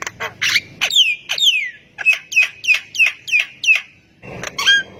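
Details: Javan myna in full, lively song meant to prompt quiet mynas into answering: harsh buzzy bursts, then long whistled notes sweeping downward, followed by a run of short hooked chirps repeated about once a second.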